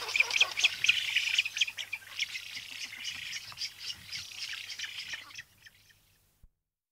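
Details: Spoonbills recorded close up, adults giving trumpeting and food calls with chicks calling, in a busy chorus of high, wheezy, chattering calls, about two a second for five seconds, then quiet, over a faint low hum.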